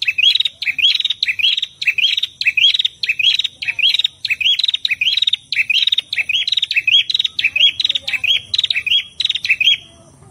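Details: Prinia, male and female together, singing energetically as a training recording for captive birds; rapid repeated phrases of a sharp buzzy note followed by a rising twitter, roughly every half second, loud and continuous.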